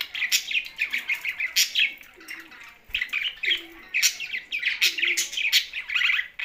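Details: Budgerigars kept together with a parrot in Larkana, Sindh, chattering in a busy flock: dense warbling chirps and short twittering notes in bursts with brief pauses, a few sharper clicks standing out.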